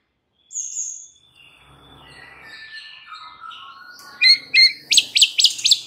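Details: White-rumped shama song used to provoke other shamas into singing: a high whistled note, long gliding whistles falling in pitch, then a quick run of sharp, steep, rising and falling notes near the end.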